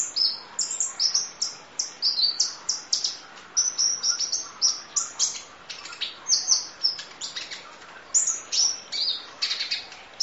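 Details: Sunbird (kolibri ninja) full song used as masteran training audio: dense bursts of very high, thin chirps and sharp tweets, rapidly repeated and overlapping, with short whistled phrases and faint insect-like background hiss.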